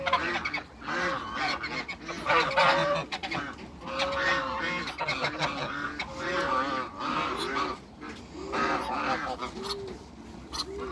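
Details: Three farm African geese greeting a visitor with repeated honks, some drawn out and rising then falling, others short and clipped, overlapping in a noisy chorus that continues steadily with only brief lulls.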